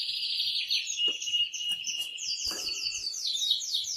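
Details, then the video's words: Male canary singing hard to excite the female for mating, a mix of rolled trills, a thin held whistle and repeated fast down-slurred notes, with occasional soft clicks. "تغريد قوي جدا كناري هائج لتسميع الفراخ | canary singing"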